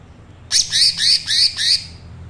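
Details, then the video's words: Green leafbird song in the thin-trill 'trotol tipis' style, used to teach birds the song: a brief burst of four high, bright, repeated chirping phrases in quick succession over a faint low hum. "cucak ijo trotol tipis belajar bunyi"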